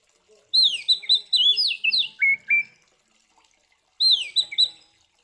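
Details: Oriental magpie-robin fighting song, used to provoke other magpie-robins and rouse lazy or stressed birds into singing: a loud burst of varied, rapid, high whistled phrases with sliding notes, a pause, then the phrases resume.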